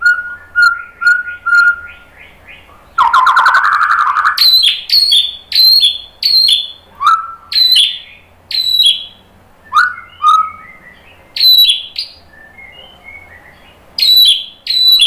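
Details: White-rumped shama singing to stir fighting males: soft repeated whistles, a harsh rasping burst, then a lively series of loud sharp descending chirps mixed with lower slurred whistles and short quiet pauses.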